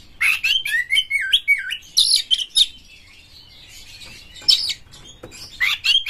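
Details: Oriental magpie-robin, a champion bird in full excited song with its tail fanned, used to spur other magpie-robins to sing: rapid rippling whistled phrases mixed with scratchy bursts, then a pause and renewed loud notes.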